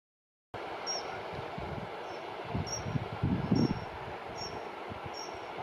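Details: Dunnock on shrubbery in the wild calling, then answered by another dunnock nearby: thin, high, piping tseep notes about once a second, faint over low rumbling wind and handling noise.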